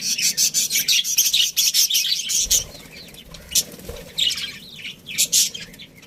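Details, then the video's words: Breeding colony of budgerigars: a fast series of loud, harsh, high chirps repeated several times a second for two and a half seconds, then scattered chatter and a final few sharp chirps. "Cute Budgies Chirping Sounds"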